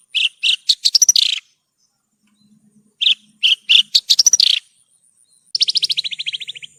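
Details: Branjangan, Horsfield's bush lark, in a masteran training recording: two bursts of high sharp chirps ending in rapid trills, then a long falling rattle of rhythmic notes. A faint low hum runs in the gap.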